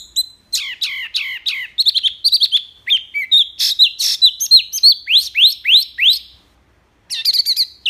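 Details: Wambi mini in full, varied song, loud and clear, meant as tutor material for songbirds; dense stream of swooping whistles and sharp clicks, delivered rapidly for about six seconds, a pause, then a fresh burst.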